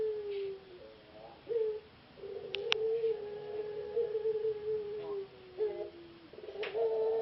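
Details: A captive-bred puter pelung (ringneck/Barbary dove) competition bird, a semifinalist at a singing contest in Jogjakarta, gives low, hollow coos in short rolling phrases and one long drawn-out note, with a few sharp clicks and a faint background murmur.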